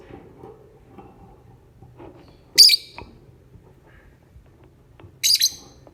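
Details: Morning lovebird lure: two short bursts of shrill, buzzy high chirping about two and a half seconds apart against soft low murmur and faint clicks.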